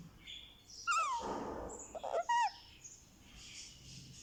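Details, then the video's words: Pet Indian ringneck parakeet chick, one month old, being given a head massage: two thin, whiny, downward-bending squeaks about a second apart, with soft rustling between them and a quiet room behind. "Ringneck baby gets a Head Massage | Candy makes sweet sounds"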